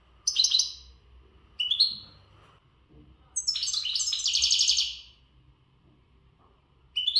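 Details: European goldfinch of the western type, untutored, giving its breeding-readiness song with strength: bursts of bright twittering, buzzy phrases high in pitch, separated by short pauses, with the longest outburst lasting about a second and a half.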